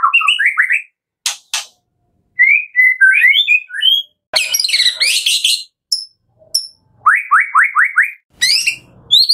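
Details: White-rumped shama from Medan in a packed, varied song for training: slurred whistles, sharp clicks, a dense harsh chattering burst, then a quick run of five upward sweeps and high chips.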